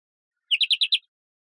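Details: European greenfinch song: a quick burst of five bright, slightly buzzy twittering notes lasting about half a second, on a silent background.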